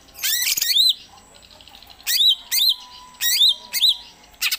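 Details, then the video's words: Home-kept greater green leafbird running through varied song, including the Gereja Tarung style rarely performed at contests. Loud, sharp rising whistles come in short bursts separated by brief pauses, with a faint steady hum underneath. "IJO GACOR"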